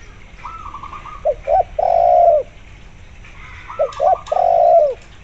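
A spotted dove gives two mellow cooing phrases, each a short rolling lead-in, two brief notes and a long drawn-out coo, about three seconds apart.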